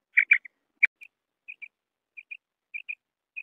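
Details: Common quail (bater) calls: a few loud, harsh opening notes, then soft, high paired chips spaced irregularly across a silent background.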